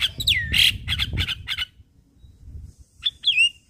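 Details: A Javan myna song played as a morning lure for mynas that have stopped singing gives harsh squawks and chattering bursts, then a pause and two high, downward-sweeping whistles, over faint low background rumble.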